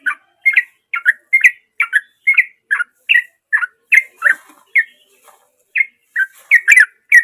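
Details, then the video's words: Gacor sooty-headed bulbul singing naturally as a lure for silent birds: evenly spaced, bubbly whistled notes roughly every half second, one short pause midway, then a denser run at the end. "Trucuk Dengan Suara Asli Dari Alam || Trucuk Gacor Cocok Buat Pancingan Trucuk Bisu"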